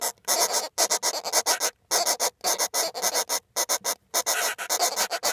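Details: Northern flicker nestlings in a nestbox give a harsh, buzzing chorus in rapid bursts, roughly two each second, like a swarm of bees, with brief pauses between.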